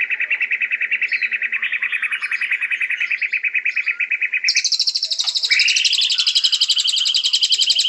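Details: White-rumped shama: a long, even series of rapid buzzy pulses at a middle pitch, switching abruptly to a higher, faster trill with a rising whistle beneath it.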